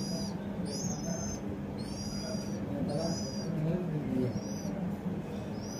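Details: Household house sparrow giving bright, high chirps in short bursts about once a second, partly masked by constant low rushing noise.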